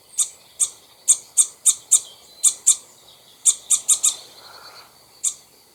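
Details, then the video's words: ['Alarm from a common starling at the top of a nesting tree, with two birds present, ahead of a raptor attack: a steady string of brief, piercing, very high clicks, sometimes in quick pairs.'] "Cri d'alarme d'un Étourneau face au rapace"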